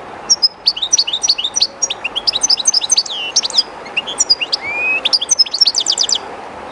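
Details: Shy European goldfinch singing beside the current of the Jerte River: a lively stream of high liquid twitters, short slurred notes and one rising whistle, ending in a quick buzzy trill, over constant water noise.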